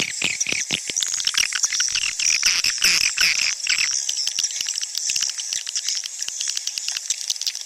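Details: Swiftlet calls used to attract swiftlets to nesting houses: dense, high, rapid chirps and twitters overlapping continuously, with sharp clicking bursts through the first four seconds.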